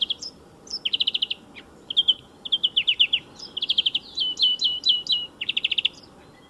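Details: Loud, clear European greenfinch song by a motor racing circuit: rapid trills, rattling note series and twittered chirps in quick succession, with little gap between phrases and only a soft low background hum.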